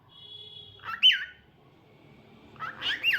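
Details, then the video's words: Cockatiel singing: a long steady whistled tone, then a loud bright whistle swooping downward, a pause, and a burst of quick warbling whistles at the end. "Adorable Cockatiel Cute Singing Sounds"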